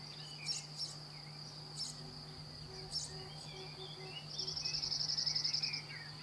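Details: Singing cirl bunting recorded in France, giving one rapid rattling trill of identical high notes lasting about one and a half seconds near the end, after several brief chirps and faint low notes, with a constant shrill background drone and low hum.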